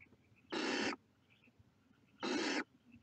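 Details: Barn owl chicks at the nest give two harsh, broadband hissing bursts, each about half a second long and spaced nearly two seconds apart, over a quiet background.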